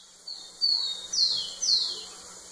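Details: Rufous-collared sparrow singing to a female: two level whistles followed by two downward-sliding slurs, heard against constant hiss and a faint low hum.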